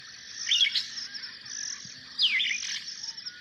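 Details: Superb starling calling: two bursts of sharp chirps and a descending whistled slur, about two seconds apart, over a steady high insect-like buzz in the background.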